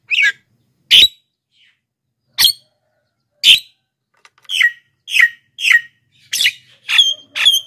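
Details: Black-winged myna giving an energetic series used to lure wild birds and get captive ones singing: a run of about a dozen harsh, buzzy notes, slow at first, then quickening into rapid bursts with falling, whistled edges.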